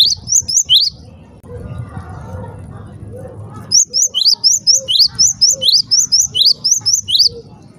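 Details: Java sparrow calling, said to provoke other Java sparrows into calling: a few sharp upslurred chirps, several seconds of low murmur, then a long steady string of about fourteen high, ringing chirps at an even pace.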